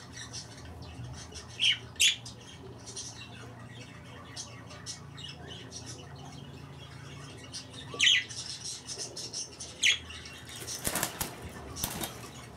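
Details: Two budgerigars give short, sharp squawks and chirps at irregular intervals over a faint background hum.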